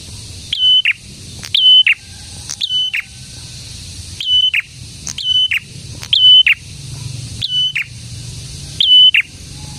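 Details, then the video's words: Singing prinia, locally prenjak tamu, gives around eight phrases of a thin high whistle finishing in a harsh buzz, repeated at roughly one-second spacing with a soft low hum beneath. "BURUNG PRENJAK GACOR"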